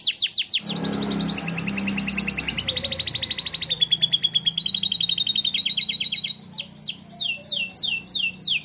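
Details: Tutor song for young canaries, a canary singing lovebird-style fill-ins: a very fast, buzzy rolling trill held for several seconds, stepping up in pitch midway, followed by a series of sharp falling whistled sweeps.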